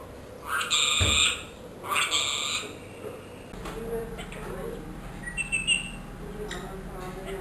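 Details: Trained one-year-old pet ringneck parrot talking, its learned phrases include Allah ho and mitho bety: two loud, harsh, buzzy bursts of speech-like syllables, then quieter scratchy chatter with a few thin high notes over steady room hum.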